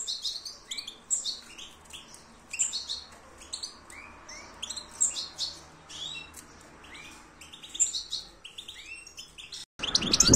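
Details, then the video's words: European goldfinch singing: a lively run of high twittering and chirping notes, some slurred upward and some buzzy, in quick irregular bursts, ending in a sudden clatter of noise. "Stieglitz - Carduelis Cardudlis - Jilguero - Щегол - Kадънка - щиглец - طائر الحسون"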